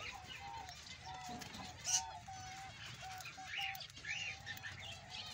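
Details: Male Australian budgerigar with a chattering warble of sharp squeaks and trills, while short, flat, lower whistled notes repeat steadily underneath.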